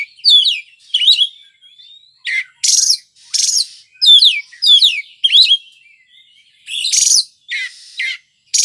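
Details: Kacer, the Oriental magpie-robin, in full gacor song: sweet looping whistles and thin upward slides broken by loud rasping bursts, roughly one and a half phrases per second, uneven rhythm.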